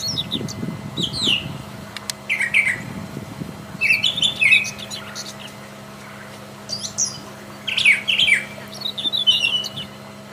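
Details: Brown Thrasher singing in the wild: bursts of varied rich, chirpy and scratchy phrases, some given in quick pairs, separated by short pauses; a low murmur sounds early on.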